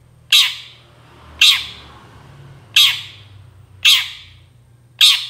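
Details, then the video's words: Long-tailed shrike luring call: five grating, noisy squawks repeated roughly every 1.2 seconds, each with a rapid decay, over a low background hum. "CENDET GACOR SUARA AMPUH UNTUK PANCINGAN CENDET MANAPUN AUTO NYAUT BUNYI"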